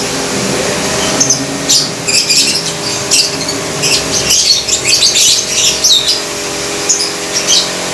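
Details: A flock of caged lovebirds kept together in one cage inside a house, nearly all calling at once in ngekek, ngetik and gacor styles: dense, shrill, high chirps and rapid ticking bursts overlapping continuously, with a steady low hum underneath.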